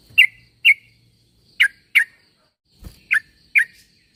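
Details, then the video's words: Yellow-vented bulbul calling to draw replies from other bulbuls: short, bright chirping notes in spaced pairs, with one low thump midway and a steady faint high hum behind. "Suara pangilan burung trucuk.semua trucuk pasti nyaut dengar suara trucuk ini"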